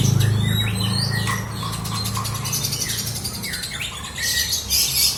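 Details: Lovebird kept as a pet delivering ngekek song, a continuous stream of quick chirps and short slurred whistles, with a low droning hum at the start and a louder burst of shrill chatter near the end.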